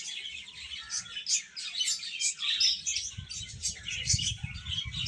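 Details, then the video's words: Chicken chicks chirping constantly in a thick cluster of high, piercing peeps, with soft low thumps and rustling becoming noticeable in the second half. "Cute Chicks Chirping Sounds"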